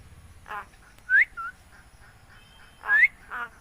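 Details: Talking myna from Bangladesh: two groups of sounds, each a short harsh note followed by a clear upward whistle, with a softer whistle after, separated by quiet gaps.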